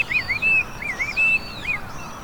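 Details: Chinese hwamei, a loud-voiced introduced bird, heard in spring by a cherry-lined river in Hiratsuka, Japan; a few clear, sustained whistled notes with upward loops, spaced by short pauses.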